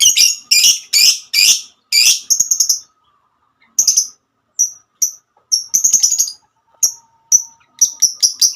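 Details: Lovebird hen singing a 'ngekek' song. It opens with four rasping, broadband squawks, then a quick stutter, then scattered thin high chirps separated by short silences.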